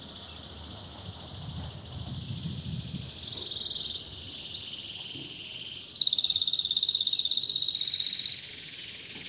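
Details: A canary sings softly at first over a faint noisy background, then bursts into a loud, very high, fast trill that carries on steadily to the end.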